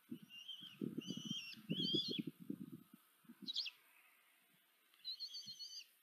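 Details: Four common kestrel nestlings being fed by their mother, nest camera in Tiszanagyfalu, Hungary, July 2023: loud, harsh, wavering squeals in bursts of about half a second, one brief sharp note, then another squeal, over thudding nest noises.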